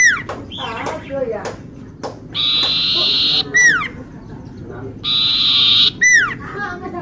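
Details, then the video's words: Lively common iora used as a lure: rapid falling whistled notes at the start, then two sustained buzzy trills, each followed by a sharply dropping whistle. "sirtu,cipoh gacor buat pancingan"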